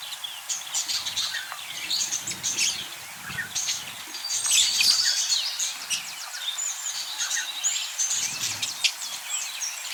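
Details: Budgerigars, colourful budgies, chattering as a group: dense, overlapping high chirps, squeaks and warbles run without pause for the full ten seconds, busiest in the middle, with no other clear sounds.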